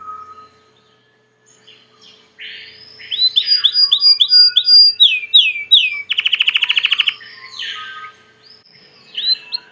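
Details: Domestic Belgian canary song: after quiet, a series of swooping whistled slurs repeated in quick succession, a short very fast buzzy rattle, then more looping whistles and trailing chirps.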